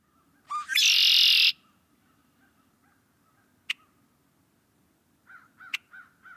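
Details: Red-winged blackbird (Agelaius phoeniceus), a Midwest resident whose returning spring flocks fill cattail wetlands, gives one song: short liquid opening notes, then a harsh buzzy trill lasting almost a second, later a sharp click and soft repeated chirps.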